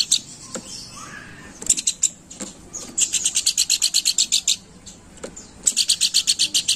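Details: Planduk bukit singing steadily, a sound used to lure birds: a long, rapid train of about fifteen sharp, high, bright notes, a pause, then another quick run, with scattered faint calls earlier.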